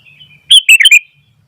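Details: A single brisk phrase from a sooty-headed bulbul singing energetically while wild bulbuls join in: four quick, loud, liquid chirps run together in under a second over quiet background hum.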